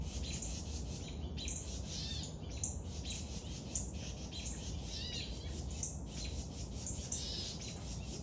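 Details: Young woodpeckers being fed give a steady chorus of harsh, raspy chirps, overlapping and repeated several times a second, over a heavy low rumble.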